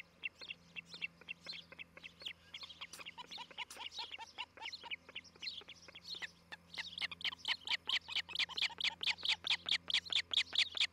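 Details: Osprey pair at a nest near Charlo, Montana, recorded by a nest camera on the morning of 07-11-2018: rapid series of sharp, high chirping notes, repeated over two per second, growing louder and more even toward the end, with steady low electrical hum beneath.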